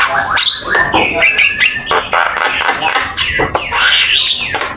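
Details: A Javan myna sings a training master song packed with fills. Continuous scratchy warbling runs with wavering whistles and rough rasps, recorded with Open Camera.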